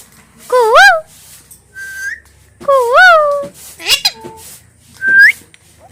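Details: Pet talking parrot producing loud, harmonic, wavering vocal calls, rise-and-fall mimicked sounds alternating with sharp rising whistles over six seconds, indoors with faint background hum.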